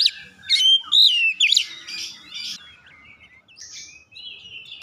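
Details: Oriental magpie-robin song meant to get other birds singing: a burst of loud looping whistles and quick sweeps in the first half, fading into faint high notes.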